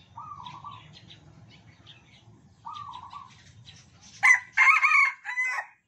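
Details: Tame captive red junglefowl from Sumatra, crowing in turn with birds sharing the same cage. Two soft tonal notes from another bird, then a loud, hoarse crow sharply split into three syllables.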